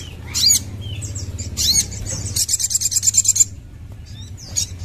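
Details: Crimson sunbird giving high squeaky swooping notes followed by a rapid, sizzling trill of very high repeated notes lasting about a second, with a constant low hum behind.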